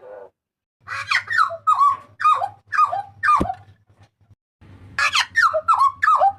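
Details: Papuan butcherbird's loud, ringing cries, for tutoring and luring: a run of slurred, falling harsh notes about twice a second, a pause, then more rapid falling phrases over a low electrical hum.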